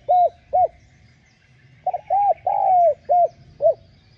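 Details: Cu gáy, the spotted dove, giving call, urge and coo phrases meant to stir newly caught birds into cooing: two short coos, a gap, then a stuttered coo, a long falling note and two clipped coos.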